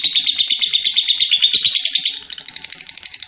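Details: Shrill lovebird ngekek, a long run of fast, evenly beaded pulses that soften and thin toward the end.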